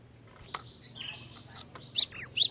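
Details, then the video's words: Female cinereous tit whose song is used to draw males into singing gives a short phrase of three high, sharp whistled notes near the end, after faint clicks and a quiet low hum. "Kicauan Glatik Betina Pikat Gacor, Cepat Bikin Glatik Jantan Ikut Bunyi Gacor"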